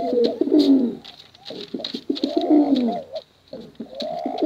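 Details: Contest pigeons, male and female, produce repeated deep bubbling coos about every two seconds, each phrase sliding downward, separated by scattered clicks and a short silence, with a steady faint high hiss.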